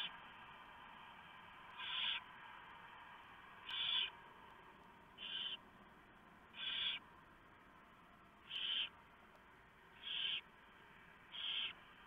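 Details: Pre-dawn recording on 3 November 2015 at a barn owl nest while the female shreds a big mouse from the male for the owlets; seven brief raspy hisses repeated roughly every one and a half seconds.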